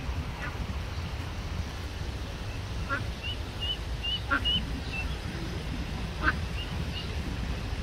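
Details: Many Eastern spot-billed ducklings of one family on an urban stream, playing apart from their mother, give thin, high peeps about every half second with a few short, harsher calls over a steady low rumble of wind or water.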